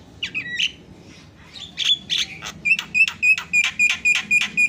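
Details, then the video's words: Javan myna singing in isian style as tutor material: a few squeaky notes, then a fast, regular string of short bright repeated chips, about four per second. "SUARA ISIAN..!! JALAK KEBO PALING KRENN"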